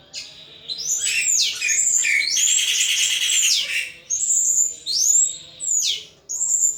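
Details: Caged pet thrush singing intensely in ngeplong style: loud rich whistles that swoop down and up, a long dense warbled phrase in the middle, then separate slurred notes, with a faint background hum.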